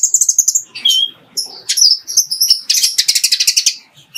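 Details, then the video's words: Ruby-cheeked sunbird in a clear masteran song holding fighting-sparrow phrases: a thin trilled whistle, a lower slurred note, then a rapid, dense run of high chips. "MASTERAN JERNIH KOLIBRI NINJA ISIAN GEREJA TARUNG"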